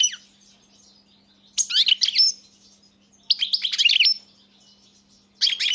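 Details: Singing goldfinch of the 'crni' variety: three separate bursts of jangling, high-pitched twittering with quiet gaps between them and a faint low hum throughout.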